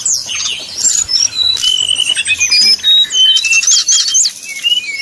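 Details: Brown-chested jungle flycatcher in 'nyuling' whistling song meant to rile up rivals: thin, clear whistled slurs and short rising strokes in rapid, uneven bursts, with a steady low hum behind.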